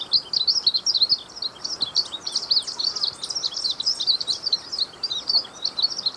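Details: Song of the Glaucous-blue grosbeak, known locally as azulinho: rapid, jumbled high-pitched chirps and trills run together in an unbroken, lively warble lasting several seconds, with light background noise.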